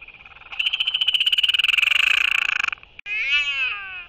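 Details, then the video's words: Royal albatross courtship on 11 June 2023: one albatross welcomes an incoming banded bird with skycalls and displays, about two seconds of rapid, harsh, rattling pulses, then a brief pause and a wavering, nasal braying note. "Royal Albatross ~ Beautiful Courtship Interaction Between Two Albies! Skycalls & Displays"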